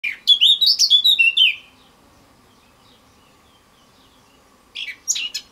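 A male Eurasian blackcap gives a rich, fast warbling phrase of clear fluting notes lasting over a second, then a brief scratchy burst after a pause; faint low hum behind.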